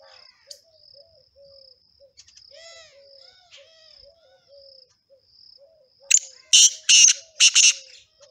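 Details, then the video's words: Male black partridge singing: a closing series of four loud, rasping notes, preceded by low whistled notes and chirps from other birds, with an unbroken shrill insect trill throughout. "Black Partridge male singing"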